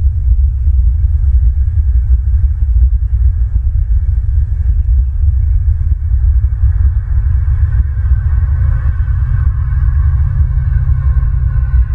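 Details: Continuous loud low rumbling wind noise with no animal calls.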